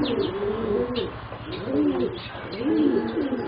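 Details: Juvenile competition singing zebra doves, four birds aged about 3.5 to 4 months, give soft arched cooing phrases about once a second, with light chirps above.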